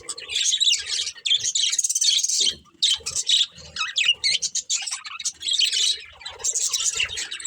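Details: Several budgerigars chirping in bursts of high, scratchy warbles and squeaky tweets, with a short lull near the middle before the chatter resumes.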